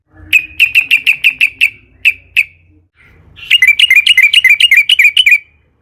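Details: Lure song of the sooty-headed bulbul to get other bulbuls singing: a row of evenly spaced, clear chirps at one pitch, a short gap, then a fast rolling trill of wavering notes.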